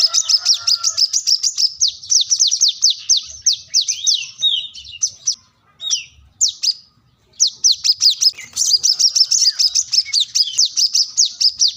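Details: Energetic plain-throated sunbird calling for a rival: extended rapid chatter of high, sharp, slurred notes, broken by a few isolated squeaks and short silences, then another dense fast run.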